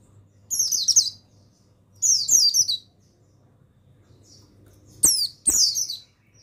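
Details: A mountain white-eye male of the buxtoni form, sung as masteran for training other birds: four high, thin twittering phrases of quick descending notes, the last two preceded by loud clicks, with a soft hum behind.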